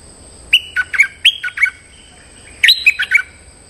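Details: Stripe-throated bulbul lure song aimed at a resident territorial bird: two lively phrases of rapid, bubbling whistled notes, each about three quarters of a second long, separated by a short gap.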